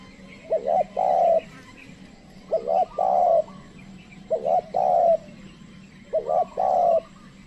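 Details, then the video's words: Spotted dove call used as a lure to draw wild doves, which do not come close: four mellow three-part coos, a short note, a rising note, then a long steady note, repeating about every two seconds. "pikat tekukur ajaran memanggil burung liar"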